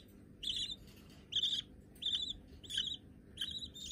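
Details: Budgerigar chicks, white-coloured babies already hand-tame, kept as pets: harsh raspy chirps with a rising then flat tone, given in short bursts roughly every 0.6 seconds, with gaps of quiet room hiss between.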